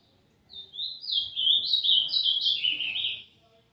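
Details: A young Ultramarine Grosbeak just beginning to develop its song gives a rambling, warbled phrase of sweet whistled notes, wavering around high pitch for nearly three seconds, still unformed.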